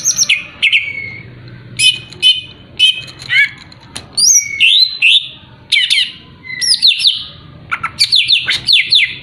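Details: Greater green leafbird song used as a lure to provoke a rival's aggression: loud, varied phrases of sharp whistles, downslurred notes and buzzy chattering bursts, with short pauses between phrases.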